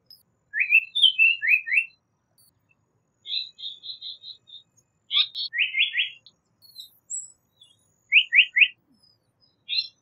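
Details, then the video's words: Japanese paradise flycatcher song: quick rising whistled notes in groups of three, a level series of rapid chips, and more triplet phrases, delivered at a brisk pace with short gaps and a quiet background. "Japanese Paradise Flycatcher Call / Sound / Song"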